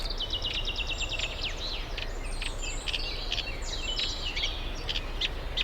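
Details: Reed warbler at a UK nature reserve in spring, pairing up and nest building; harsh, grating chatter with buzzy repeated notes and brief whistles, somewhat masked by steady low background noise.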